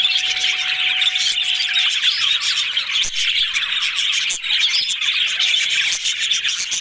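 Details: Yellow budgerigars chattering happily, a continuous dense warble of fast chirps and twittering notes from many birds at once, with a faint steady low tone underneath during the first two seconds.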